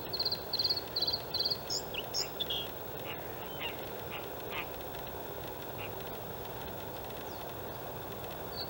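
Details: White-spotted Bluethroat male singing in outer reedbed at Halmstad harbour landfill, Sweden, 6 May 2017: a burst of ringing, repeated high notes in quick pairs, then softer scattered chirps over steady background rumble.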